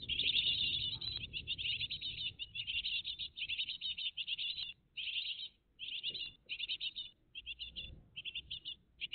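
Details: Morning at a great tit nest on 20 June 2023, family recorded live; a loud run of rapid high chirps at the start, then shorter chirping bursts spaced by gaps, against a quiet background.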